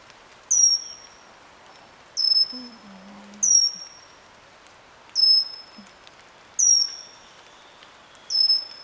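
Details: Pygmy cupwing in Eaglenest wildlife sanctuary, Himalayas of NE India: a thin, very high whistled note sliding down, repeated six times about every one and a half seconds, with a few faint low sounds in the background.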